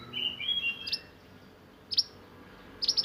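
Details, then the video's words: Sunbird (burung mantenan) in a singing display of the roll nembak style used for tutoring other birds; short high sharp notes in quick clusters, with softer warbled phrases near the start, about one burst a second. "Burung mantenan gacor roll nembak untuk masteran"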